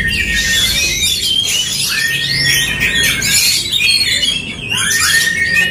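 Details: Dueling Oriental magpie-robins singing aggressively against each other. Loud, continuous twittering with quick rising and falling whistled slurs and scratchy trills, plus a few long, steady whistled notes.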